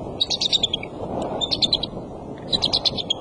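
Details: Father eagle sitting on the nest in the late afternoon of February 24 utters three quick trills, each a rapid run of thin, high, piping notes falling slightly, over constant loud wind noise.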